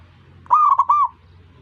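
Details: A single zebra dove phrase meant to get other doves calling: three rapid, liquid, rolling coo notes run together in about half a second.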